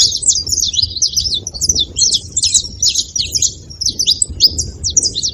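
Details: Saffron finch delivering quick, piercing chirps in a steady stream, some clustered into short bursts. Faint low noise lies beneath.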